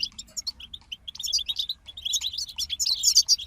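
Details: Goldfinches in a group give a lively chattering song, starting with spaced high chirps that build into a continuous run of jingling, twittering notes growing louder toward the end.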